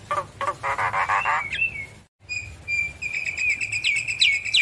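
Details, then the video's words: Energetic Javan myna song played to rouse quiet birds: harsh grating pulses and a buzzy rasp, a brief gap, then steady high whistles with rising trills and repeated squeaky notes. "Jalak kebo Gacor Manggut Manggut Memancing Emosi Jalak Kebo Malas Bunyi Langsung Nyaut"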